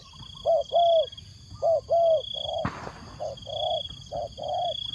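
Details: Spotted dove used as a decoy, calling wild doves with soft paired coos, short then long, broken by a sharp click midway, with a constant high-pitched hum behind.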